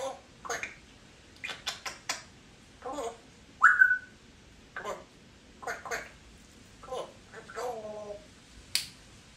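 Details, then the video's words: A talkative 3-year-old female pet Congo African grey parrot makes scattered clicks and chattered syllables indoors. A loud, clear whistle that rises and falls stands out midway, followed by more short mumbled sounds. "African Grey Talking Parrot"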